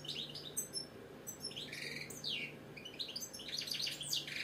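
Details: British European goldfinch kept as a pet, singing a quick tinkling song of high chirps, down-slurred notes and short rattling trills, with a constant low hum in the background.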